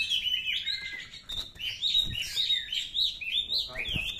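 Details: Wild Oriental magpie-robin singing; loud, varied whistled phrases at a high pitch, rising and falling warbles and trills in quick succession, with faint low thumps underneath.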